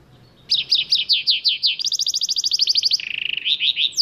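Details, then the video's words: Goldfinch and canary cross singing a rolling song: sweeping chirps repeated quickly, a very rapid high trill, then a lower even trill and a few closing slurred notes. No other sounds stand out. "goldfinch meul singing"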